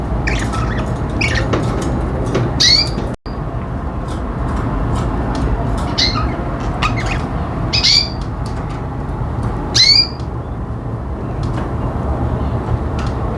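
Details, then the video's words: Caged pet budgies chirping in brief, high, squeaky bursts a few seconds apart against a constant low background hum. "CUTE PET BUDGIES"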